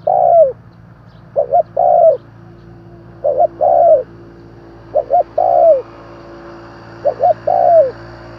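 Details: A spotted dove calls repeatedly to rouse wild doves, with five phrases roughly every two seconds. Each phrase is a short doubled hoot followed by a drawn-out coo that slides downward. A steady low hum sits underneath.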